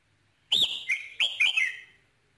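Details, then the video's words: Red-whiskered bulbul song played to excite a male bird: a quick series of four loud, clear, slurred whistles, each bending down in pitch, delivered within about one and a half seconds in quiet surroundings. "KÍCH SUNG CHÀO MÀO TRỐNG"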